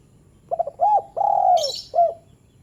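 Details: Spotted dove short call, used to prompt reluctant doves to call: a stuttered opening, then rounded cooing notes with one long drawn coo and a final short coo, plus a brief high chirp from another bird.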